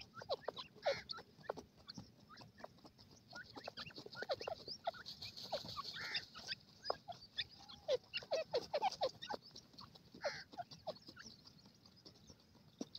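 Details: A captive Iranian teetar (francolin) gives a steady run of soft, quick clucks and sharp chips, with a few brief ringing notes, while playing and feeding, over faint background hum.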